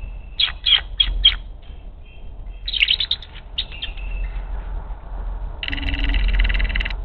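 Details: Bald eagle at the Hays nest, filmed by nest camera on 18 February 2024, racing back to the nest and calling in alarm as an intruder flies past: two bursts of high, sharp chirping notes in quick series, then a steady buzzy tone.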